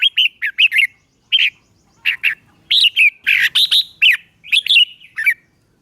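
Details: Red-whiskered bulbul singing, a recording meant for training caged birds or trapping: lively clusters of two to four fluty, warbled notes rising and falling, separated by short silences, about eighty notes a minute.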